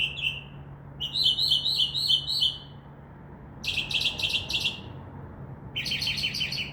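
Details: Night-singing Northern mockingbird in a tree outside a window, known for imitating a crow caw; a short whistle, then bubbling rapid trills and buzzy repeated rattles in separate phrases.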